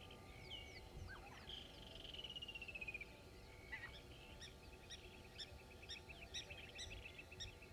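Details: A common myna at Gowrie dam waterhole, Djuma Game Reserve, Sabi Sand, South Africa, 11:06 on 27 November 2021: a varied run of chattering notes, clicks and a long slurred descending whistle, then scattered high chips, over a low rumble.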